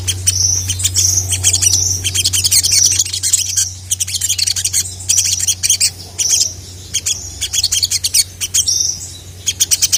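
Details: Ruby-cheeked sunbird calling to challenge rival males and provoke them to reply: repeated bursts of very high, fast chattering and sharp chips in tight phrases, broken by short gaps, with a constant low hum underneath.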